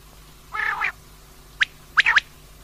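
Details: Female common quail making a short raspy note, then a sharp click-like note and a quick cluster of clipped notes.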